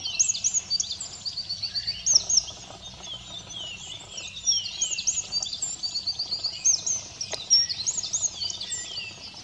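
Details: On 2 April 2017 at Simunas, a Eurasian wren interrupting its preening sings continuously: fast, bright cascades of high twittering and rolling trills, loud throughout, with a single click around seven seconds.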